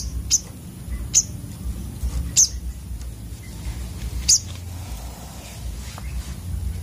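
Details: Sunbird, known locally as sogok otong, giving four sharp, very high chips spaced irregularly about a second apart over a low steady background hum.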